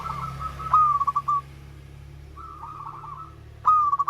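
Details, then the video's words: Zebra dove of local stock, used to coax quiet birds into singing. Two stuttering phrases of soft, fast-pulsed cooing are separated by a fainter rolling phrase, all at a similar mid pitch, over a humming background. "Perkutut LOKAL SUARA MERDU"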